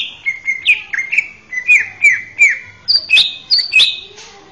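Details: Male greater green leafbird singing a melodious training song meant for young birds: clear whistled notes, some level, others with sharp upward flicks, about a dozen in quick succession, ending in higher, brighter double phrases; no other sounds.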